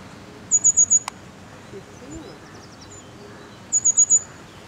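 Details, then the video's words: Grey wagtail singing in winter in Clare, Suffolk, East Anglia, likely from a roof: two quick runs of four very high, sharp, metallic notes about three seconds apart, over a faint background hiss. "Singing Winter Grey Wagtail"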